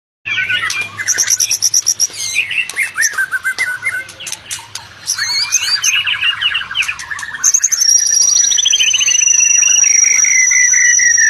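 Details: White-rumped shama song played to get silent, stressed shamas singing back: fast varied chirps and trills, then a long clear whistle near the end held over a falling tone.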